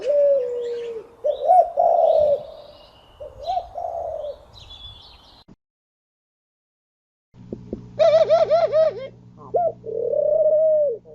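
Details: Pigeon cooing in smooth, drawn-out low notes, several phrases with a pause, then a rhythmic pulsed sequence of bouncing coos and a final long, wavering coo over a faint hum.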